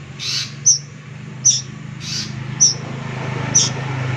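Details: Plaintive cuckoo chick uttering four thin, high, sharply squeaked notes roughly one second apart, separated by soft breathy hiss bursts, with a constant low hum underneath.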